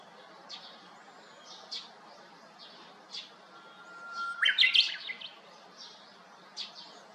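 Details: Japanese bush warbler singing from the top of a hiba cypress at a neighbouring empty house, 7 May 2021. Between soft chirps from other birds comes a long flat whistle, then a loud, rapid, rolling flourish.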